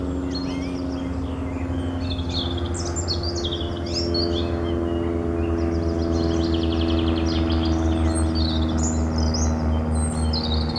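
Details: European robin delivering fast, high, sparkling warbled phrases with short trills, backed throughout by a loud layered mechanical drone.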